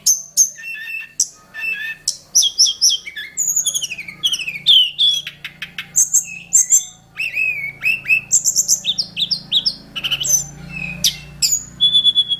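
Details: Hill prinia from mountain forest, a wild bird, singing a rich, fast, varied song of sharp whistled chirps, trills and short sweeping notes, closely packed and high-pitched, with barely any pauses; a faint low murmur sits underneath.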